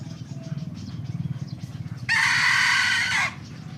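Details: A young hybrid Indian junglefowl crows in the morning, one harsh, loud crow of about a second with a steady tonal core. It follows a stretch of low rumbling background noise.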